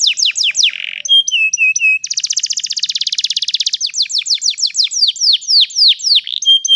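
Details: Canary song used as a lure and learning aid for young canaries, a long rolling ngeroll: rapid downward-sweeping whistled notes, short flat whistles, then a fast buzzy trill before more repeated descending sweeps.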